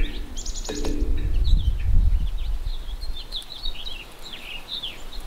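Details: Hyperactive black-capped chickadees at winter feeders, singing; one gives a quick, uneven string of thin, high chip and slurred notes, about two a second, over a steady low rumble.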